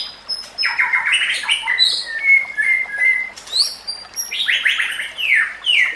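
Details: White-rumped shama song used as training material for other shamas: varied bursts of high buzzy notes, sweeping slurs and short whistles in quick, changing phrases, with background of nature sounds and trickling water.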